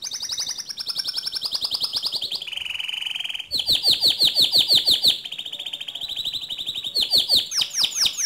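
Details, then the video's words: Singing canary recorded for training other canaries: fast trills shifting in pitch, a low buzzy section, then loud repeated downslurred whistles about three a second and rising sweeps at the end. "Latih Mental Kicau Kenari Anda Dengan Suara Kicauan Kenari Gacor ini"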